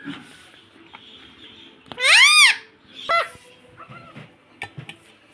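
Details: A talking pet parrot indoors, known for repeating 'mitthu mitthu' and 'mummy'. It gives one long, loud, arching harmonic call, then a shorter sharp note, with faint background chatter and small clicks.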